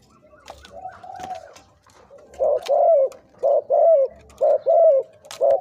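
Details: Decoy spotted dove aged two to three years, with big, middle and small voices: after a quiet start, low hollow coos come in quick pairs, about one a second, with soft clicks and rustling around them.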